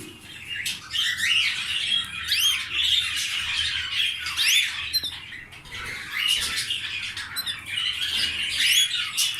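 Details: Canary breeding pair that has laid eggs, heard indoors: bright, sweeping chirps and short warbled notes come in irregular bursts, several rising and falling quickly, with brief pauses between clusters and a faint low room hum underneath.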